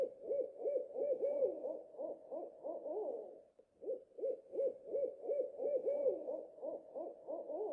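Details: Low, hollow owl hoots repeated quickly in two long bouts. Clean, evenly paced notes give way to tangled, overlapping hoots before a short silence, then the pattern starts again.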